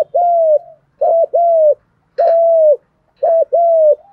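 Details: Spotted dove cooing to stimulate birds kept for training, fighting-coo style: steady, low coos in couplets, a short clipped note followed by a longer level one, repeated about once a second.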